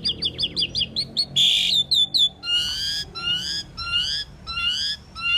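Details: Common pied myna song: a fast run of short chirping notes, a harsh grating burst, then a steady series of rising whistled notes with rich overtones, each about half a second apart.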